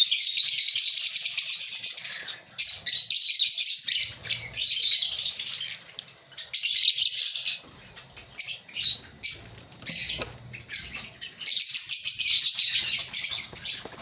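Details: High-pitched chirping from a breeding colony of African lovebirds, long chattering runs alternating with short choppy bursts and brief pauses over fourteen seconds.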